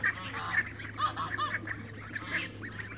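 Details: Young Toulouse geese running in a backyard: a quick series of short, high, peeping notes, some rising and some falling, scattered over three seconds above a steady low hum.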